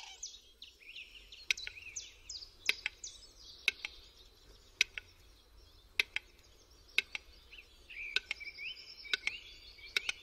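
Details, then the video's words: A western capercaillie displaying in the mating season in a forest gives sharp, dry clicks about once a second in its display song, while small songbirds chatter and twitter high in the background. "Tokujący głuszec"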